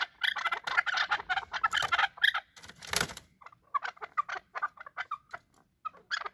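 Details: Fighting chukar partridges giving a tumble of harsh clucks and chatters, dense at first, then broken into separate short notes, with one brief noisy scuffle-like burst midway.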